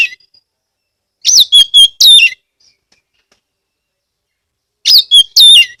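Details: Oriental magpie-robin lure song from Rejosari, Kebumen, Central Java, meant to spur other magpie-robins to sing. A burst of four ringing whistled notes, then about two and a half seconds of quiet, then another three-note phrase.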